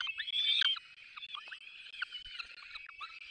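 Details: Begging peregrine falcon nestlings being fed by their parents at a nest in the Barycz Valley, 3 May 2024: a louder thin whine at first, then a steady run of soft, overlapping chittering calls.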